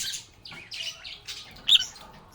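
Lovebirds chatter in harsh, high squawks and chirps, several bursts in quick succession with one sharper shriek near the end.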